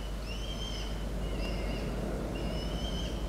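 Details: Peregrine falcon chick Orange, home alone on 3 October 2023, gives three thin, drawn-out, high whistled cheeps about a second apart over a steady low rumble of wind or distant traffic.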